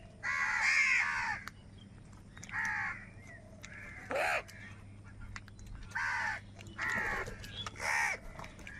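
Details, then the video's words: Crows squabbling over food give rough, hoarse caws, a long drawn call followed by shorter ones at irregular intervals, with a faint low hum behind. "Crow Sound of Kaka | Clear Crystal Crow Bird Crowing Sounds | Crow Bird live Crowing Sounds"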